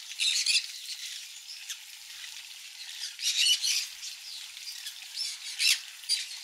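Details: Conures eating mealworm egg food give harsh, raspy squawks in short bursts, a few seconds apart, with softer chatter in between.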